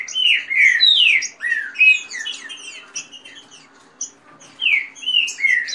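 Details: Fast green-winged saltator song, rain style, from caged birds in a dispute, plus female calls. A rush of rich downward-sliding whistles leads into busier high chirping, then fades before a final short run of whistled notes.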